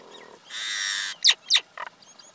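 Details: Male and female common myna: a long, harsh, rasping screech followed by two sharp downward-sweeping squawks and a short grating note.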